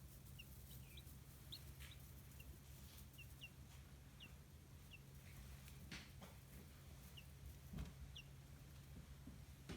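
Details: Young chicks kept in a home-built brooder on a small free-range farm in Kitahiroshima, Hiroshima, Japan, give short high peeping chirps, scattered singly and in twos over steady low hum.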